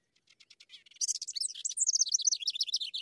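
House Wren song: a few soft, scratchy opening notes, then a rapid, bubbling cascade of high chattering trills tumbling downward for two seconds.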